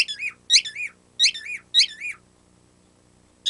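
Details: Pet bird's cute squeaky noise, like a toy being squeezed: four separate high, slurred squeaks spaced about half a second apart, a silence, then the start of another squeak.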